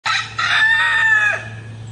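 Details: Rooster on a farm crowing in the morning, a call given to announce territory and ward off rivals: one loud cock-a-doodle-doo, harsh at the start, then a sustained tone that drops away, over a low hum.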